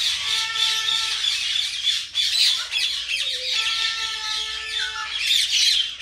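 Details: Common myna kept as a tame pet, talking: a continuous run of scratchy, squawking chatter mixed with long level whistled tones in two bursts, with a short rising note between them and a loud burst at the end.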